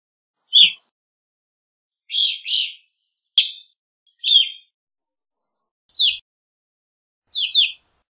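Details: Evening grosbeak chirping in irregular bursts: single sharp downslurred notes mixed with doubled ones, six calls over eight seconds, no other sounds.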